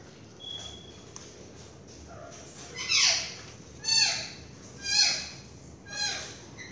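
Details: Pet Quaker (monk) parakeet calling for its owner, calling out "mommy". Four loud, harsh, downward-sweeping screeches come about once a second after a quiet start, over a faint indoor background.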